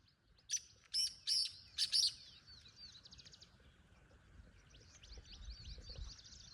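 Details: A black francolin calls a single scratchy phrase of five broad, buzzy notes, quieter and more distant, then fades into soft twittering of other birds and low rural hum.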